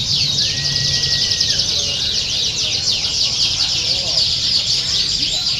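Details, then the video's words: Continuous canary singing, used as training sound for contest birds, made of fast overlapping high trills and buzzy rolls, with a level whistled tone early on and faint low rumble beneath. "aksi burung KENARI!!! COCOK NIH BUAT TERAPI LOMBA"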